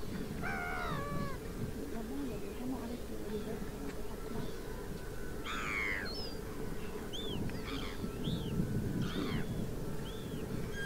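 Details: Water rail (Rallus aquaticus) in the Suscinio marsh, Morbihan, France, on 23 August 2022 during a drought: a few short harmonic squealing calls, the first bursts early on and another midway, over steady low rumbling noise with faint thin whistles from other birds.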